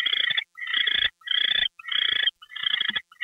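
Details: Raspy, hissing owl screeches follow one another roughly every half second as a gopher is delivered at 10:43 PM, February 2, 2013.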